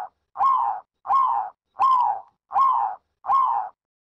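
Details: Zebra dove uttering five single drawn-out coos, each slightly falling in pitch, repeated steadily about every 0.7 seconds in a quiet setting.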